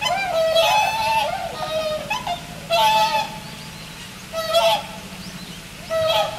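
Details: Four swans at Inokashira Park aquatic zoo, Japan, on 22 November 2016 around 4 pm, calling in turn while two at a time raise and lower their necks; loud honking, nasal calls with rich harmonics, in bursts roughly every one to two seconds.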